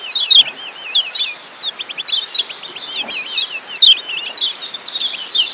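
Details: Lombok Lemon-bellied white-eye training song for changing ngeriwik chattering into ngeplong style; fast sequence of high whistled loops and short buzzy trills, several louder sharp notes near the start and middle, continuous to the end.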